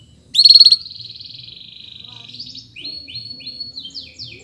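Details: Canary in a long chirping song meant for tutoring other birds, opening with a loud burst, then a steady high buzzy trill and a series of rapid repeated chirps.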